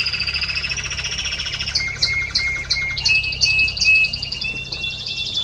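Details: Spanish Timbrado canary recorded 30 May 2017, singing a long continuous rolling trill that breaks into spaced sharp metallic notes and brief whistled tones, with a constant low background hum.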